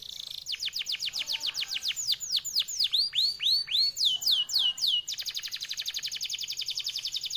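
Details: Canary of F1YS stock with a long, clear, rapid song: fast falling whistles that widen into looping slurs, ending in a sustained high rolling trill.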